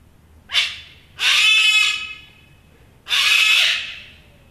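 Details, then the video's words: An Australian cockatoo in the morning gives three harsh, raucous screeches, a short one then two long grating ones, each about a second long and spaced over a few seconds. "Cockatoo Alarm Clock"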